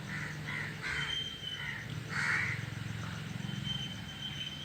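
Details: Crows gathered in a tree call with several rough caws early on and a louder, broader one near the middle, while a thin whistled tone and low background hum continue underneath.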